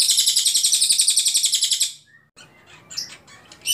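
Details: Ashy Tailorbird (cililin), singing actively as a tutor recording for training songbirds: a long, clear, high buzzy trill of rapid repeated notes for about two seconds, then quiet with a few scattered chirps.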